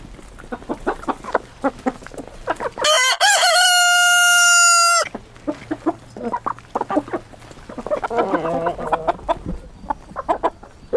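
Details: Rooster crowing: one long, loud, harmonic-rich crow of about two seconds that holds steady and then falls slightly, set between stretches of rapid short clucks from the surrounding flock.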